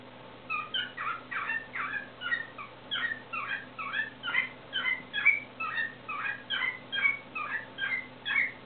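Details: Pet cockatiel singing indoors, pouring out warbled roulades: a dense run of short, rising and falling whistled chirps, roughly two to three per second, without pause, over a faint steady low hum.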